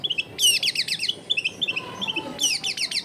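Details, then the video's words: Long-tailed shrike song, captured at home in a busy neighbourhood to coax a lazy bird into singing. Short high chips alternate with brisk bursts of steeply falling, scratchy notes, over a steady low hum. "CENDET GACOR SOLUSI PANCINGAN BUAT CENDET MALAS BUNYI"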